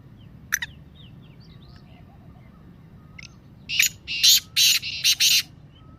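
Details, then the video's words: Black francolin (Kala Teetar) calling. Scattered thin chirps of small birds come first, then a loud harsh phrase of about six rasping notes. The track is used to encourage pet francolins to call. "کالے تیتر کی مستی والی آواز - Kala Teetar Calling Voice"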